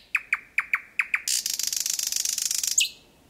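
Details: At close range (4–5 m), a thrush nightingale sings at 01:23 on 8 May 2020 in Kiili parish, Estonia: six loud evenly spaced clicks lead into a fast, rich rattling trill ending in a high whistle.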